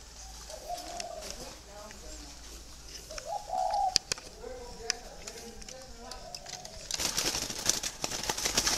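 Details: Free-range breeding spotted doves kept on a farm in Vietnam give low, soft cooing phrases that overlap from several birds, with sharp clicks and a burst of hissing noise near the end.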